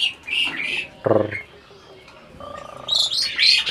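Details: Asian pied starling, a breeding adult, 'talking': high scratchy chirps, then a short buzzy harmonic burst, a quiet pause, a flat nasal tone and a final pair of shrill squeaks.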